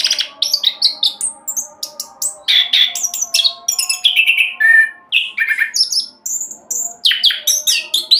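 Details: Lure recording of an orange-headed thrush in rapid roll song: nonstop varied phrases mixing high clear whistles, scratchy buzzes and descending slurs, packed tightly, with steady background hum.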